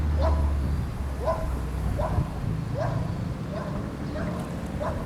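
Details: White-winged Coot at Laguna María la Gorda urban reserve, Río Gallegos, Santa Cruz, Argentina, 10 May 2025: short, nasal, bark-like notes about once a second, each slightly arched, over a steady low rumble of wind.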